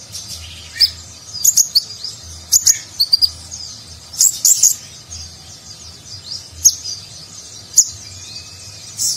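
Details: Nagen-style song of a konin (ninja sunbird) with rich filler, used as a master recording for contest birds: high, sharp chirps in small groups separated by quieter gaps, with faint twittering continuing in the background.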